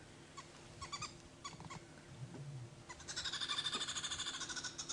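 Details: Green wood hoopoes alarm calling at a predator, apparently a leopard, on a sunrise safari drive on 24 June 2016: scattered harsh chatters, then a dense, rapid cackling chorus of about three notes per second over a low murmur.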